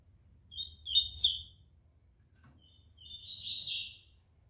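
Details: Collared seedeater being readied for a song competition the next day: a quick thin whistle leading into a buzzy twittered phrase, silence, then a longer sweeping buzzy trill.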